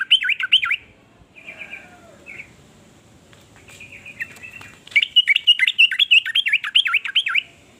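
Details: Yellow-vented bulbul (trucukan) giving a varied song said to stir other bulbuls into singing along; bubbly, looping warbled phrases in quick bursts, a quieter stretch of soft notes and faint rustle mid-clip, then a loud run of repeated chortling notes.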